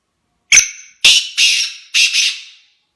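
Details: Black francolin (kala teetar) giving its call: a thin whistled opening note, then three rasping, grating phrases that fade out, the final phrase broken in two, in a quiet setting.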